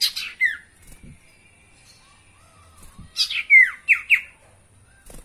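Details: Spotted owlet song as a lure for caged birds: an opening falling screech, a long pause, then a cluster of harsh squawks and sharp downward-slurred screeches, with soft thumps between.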